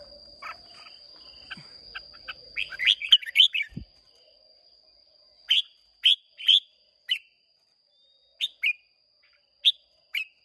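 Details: Contest singing by Red-whiskered bulbuls of Hòa Bình stock, Vietnam, 30 May 2023. A fast run of chirps gives way to separate loud, clear whistled phrases about every half second to one second. A thin constant high tone persists.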